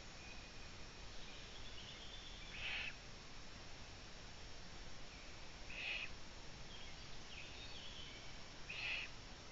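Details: A Eurasian eagle-owl (Bubo bubo) chick in Ūpis, Latvia, on 11 June 2017 near 22:11, with a third chick nearby, gives short, harsh, hissing rasps about every three seconds, high-pitched and breathy, over a steady background hiss.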